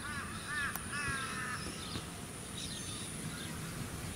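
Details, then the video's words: Australian wood duck (Chenonetta jubata) at a small artificial lake on the Sunshine Coast, Queensland, in February 2018: a short burst of nasal, arched, wavering calls in the first second and a half, then wind and suburban background noise. "Australian Wood Duck 4"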